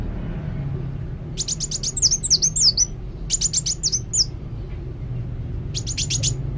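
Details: Kolibri wulung sunbird in full, active song: three bursts of rapid high ticking notes, the first two ending in twisting whistled phrases, set against a soft low background hum.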